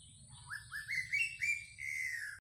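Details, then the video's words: Greater racket-tailed drongo song played as a decoy: five quick upslurred whistles climbing step by step in pitch, then one longer, gently falling whistled note, with faint high chirps above and a low hum beneath. "Tiếng chim chèo bẻo đuôi cờ mồi"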